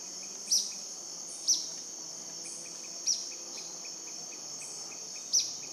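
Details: In the Cordillera del Condor near Shaime, southeast Ecuador, at 10am on 5 February 2014, a purplish jacamar gives four thin, high, clipped notes at irregular intervals through a constant high insect whine.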